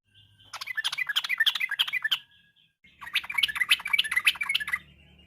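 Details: Yellow-vented bulbul song used as a lure for other birds, afternoon: two dense bursts of jumbled, bubbly chirps about two seconds each, separated by a brief pause, with some low background noise.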